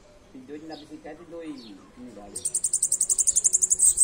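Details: Bananaquit singing a fast, sizzling high trill of quick repeated notes that swells in loudness, after a stretch of low human voices.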